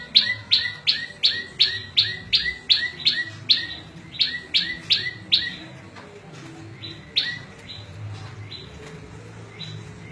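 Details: Small prinia delivering a quick, regular run of high chipping notes with lower hooked tails for five seconds. After that only scattered notes sound over quiet background. Song used as a tutor for cage birds and to lure wild birds.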